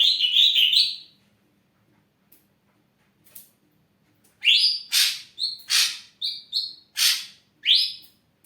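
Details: Singing ashy drongo, a kept songbird: an opening burst of rapid warbled whistles, a quiet gap, then a quick series of about eight notes alternating clear rising whistles with harsh rasping bursts.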